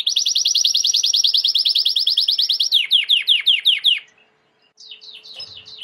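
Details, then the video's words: A loud Timbrado canary roll for training: a rapid, very regular trill for nearly three seconds, then slower descending swooping notes, a pause, and more swoops, with a faint hum underneath. "Chant de Canari timbrado / the wonderful sounds of canary bird chirping / canario timbrado cantando"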